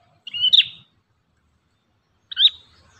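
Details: Ashy tailorbird singing, heard as two separate sharp, piercing whistled notes about two seconds apart with a quiet pause between them.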